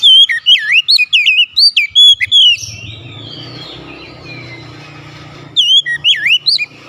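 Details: Kacer, or Oriental magpie-robin, delivering a fast string of varied whistles and looping notes for two seconds, trailing into soft warbling, then a quiet spell with a low rumble before another whistled burst.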